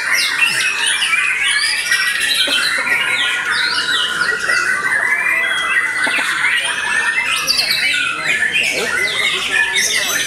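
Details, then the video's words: After its moult, a white-rumped shama sings in an intense, nonstop flow of high trills, rapid stuttering notes and bright whistles that crowd one another throughout. "Murai Batu VOKALIS Pasca Mabung Semakin "WOW""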